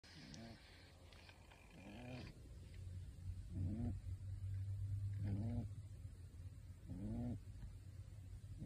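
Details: Pet pigeon wearing a bird suit snores while asleep. Five low, hoarse, rising-then-falling breathy notes come about every one and a half seconds over a steady low hum, with faint household noise behind.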